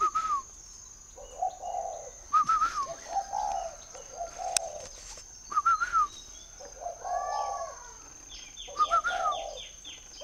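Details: Spotted dove kept at a farm in northern Vietnam near Hanoi, repeating paired whistles and deep, rounded coos in spaced phrases, with a sharp click and faint chirping of other birds behind.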